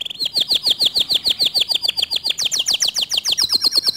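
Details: Canary song that is said to provoke other canaries to sing: continuous fast trills of sweeping high notes, changing to a faster, higher-pitched tour partway through.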